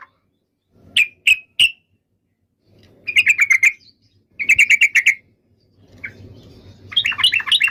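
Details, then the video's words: Yellow-vented bulbul giving three sharp separate chirps, then two short rattling bursts of fast clipped notes, and closing with a lively bubbly phrase; soft low hum in the background. "SUARA BURUNG TRUCUKAN"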